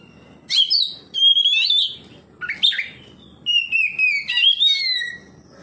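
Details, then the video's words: Varied song of an Oriental magpie-robin replying to another magpie-robin: rich whistled phrases, some rising, some falling, broken by brief pauses, with faint low background hum. "KACER NGEPLONG KACER LAIN LANGSUNG RESPON NGEPLONG BONGKAR ISIAN"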